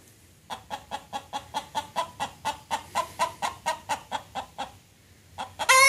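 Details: Chicken alarm calling after a great blue heron was seen standing by the pond: a fast run of about seventeen sharp, evenly spaced clucks over four seconds, a brief pause, then a louder harsh squawk at the end.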